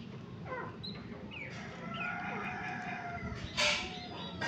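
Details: A black francolin giving its morning call: harsh, grating notes with short rising and falling strokes, over a low background rumble, with a sharp burst near the end.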